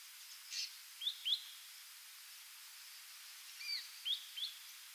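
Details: An ashy drongo, an occasional migrant stopping over on Yonaguni Island, gives short, sharp, high chirps and slurred whistles in two loose bursts of three notes, over a steady background hiss.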